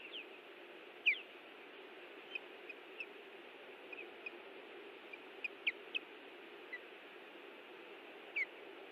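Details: Osprey pair defending their nest in Hellgate Canyon, Missoula, Montana, on June 18, 2017: scattered short, high downslurred whistles, one sharp loud note early, then fainter notes at irregular intervals over a steady rushing background.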